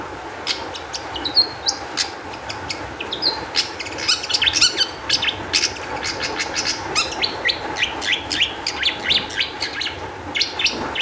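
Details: Lure song of a long-tailed shrike, meant to set other shrikes singing, a busy stream of sharp chirps, short whistles and harsh notes running nearly without pause across the whole stretch, over a faint constant hum.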